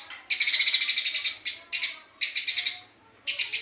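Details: Eurasian tree sparrow in dense 'gacor speed rapat' song: one long run of rapid shrill chirps, then three shorter bursts, a faint thin high whistle bridging the gaps.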